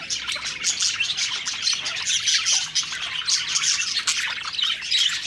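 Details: Budgerigars in a group, singing happily as they eat; rapid continuous chirps and warbling notes overlap into an unbroken lively high chatter.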